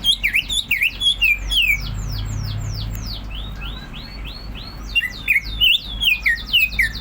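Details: Rapid, continuous ngentrok singing from a greater green leafbird: dense bursts of sharp, falling and looping whistles, a quieter softer stretch in the middle, then another fast flurry, over faint background hum.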